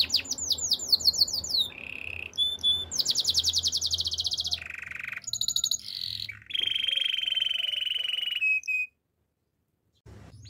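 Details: Canary song for training, Timbrado style: varied tours of fast swoops, buzzy rolls at different pitches and long steady trills, ending in a short silence before a new phrase starts.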